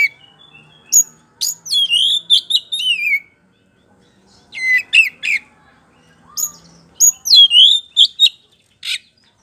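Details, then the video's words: A white-rumped shama's song serving as a lure to provoke answering birds: two bursts of clear whistled slurs mixed with sharp clicks and chips, separated by a few seconds of quiet. "DIJAMIN NYAUT DENGAN PANCINGAN KACER POCI GACOR NGEPLONG INI"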